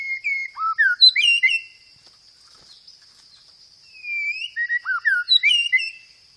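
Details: Loud, clear white-rumped shama singing two bursts of rapid whistled phrases separated by a short pause: tumbling falling and rising notes with high chips, as lure material dominated by 'roll tembak' rolls; a steady high whine continues underneath.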